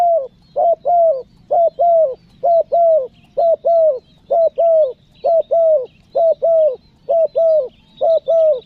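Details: Spotted dove calling to draw in wild forest doves, Lombok: a long run of double coos, short then longer and bowed, evenly spaced near once per second, loud and clear with faint high chirps behind.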